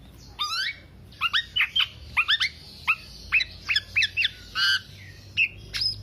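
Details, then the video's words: Black-naped oriole in intense continuous song, used as a lure or master recording for songbird keepers: quick clusters of sharp, down-slurred chirps with one longer harsh nasal note, repeated in steady bursts. "Kepodang Podang kicau sampe telerrr"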